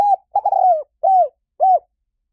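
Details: Spotted dove cooing: the end of one note, then a long purring coo that falls in pitch, followed by two short arched coos evenly spaced. No other sounds.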